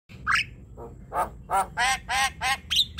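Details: Javan myna song; a varied series of harsh squawks and chattering notes, several loud buzzy bursts in a row.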